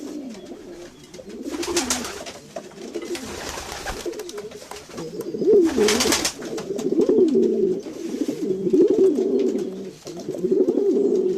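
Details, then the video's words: Several domestic pigeons coo in low, throaty, rolling phrases that overlap almost continuously, with a few brief flutters of wings. "Sounds of pigeons. Pigeons,domestic pigeons - pigeons sound effect"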